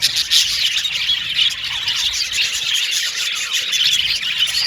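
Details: Cute budgies chirping in a constant high flock chatter, mixing squawky notes, quick tweets and occasional thin whistles.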